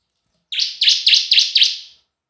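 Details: Bar-winged prinia lure song in the semi and kristal styles: five bright, high chirped notes, each sliding down then up, delivered in a quick even string against a silent background.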